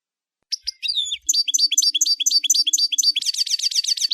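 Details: European goldfinch in clear, close song: a few sharp chirps, then bright high notes repeated in a lively twittering series, ending in a fast, dense trill of rapidly repeated high notes.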